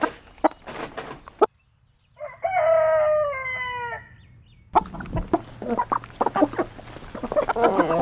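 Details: Rooster crowing once, a long harmonic call that holds level and then slides down, set between bursts of busy clucking and scratching from other chickens.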